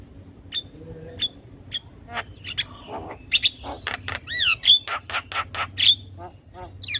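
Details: Javan myna song to lure other mynas into responding: spaced high whistles at first, then denser harsh clicks, a wavering whistle and rapid rasping notes.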